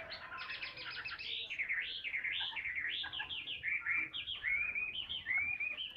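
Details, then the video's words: Vietnamese caged hwamei, a fighting bird that sings while perched on a hand, pours out a fluent stream of looping, slurred whistles, each phrase arching up and down, mellow at first and turning brighter and more varied toward the end. "HM 203 ngũ trường siêu mẫu đấu xòe cầm tay hót"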